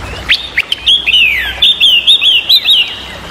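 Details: A Chinese hwamei sings loud, clear whistled phrases, slurring up and down at about four notes a second, after a few sharp opening chips; the recording is used to lure other songbirds into singing.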